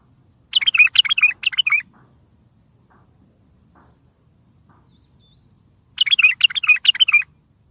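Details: Loud bulbul singing meant to get distant bulbuls answering for trapping: two bubbling bursts of fast, warbled chirps, each about a second and a half long, separated by roughly four seconds of near silence.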